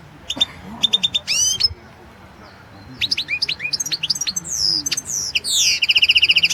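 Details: European goldfinch song entered in the 2016 World Championship in Goldfinch Song: fast, tinkling twitters and trills mixed with sweeping, slurred whistles and a final buzzy, rapidly repeated phrase.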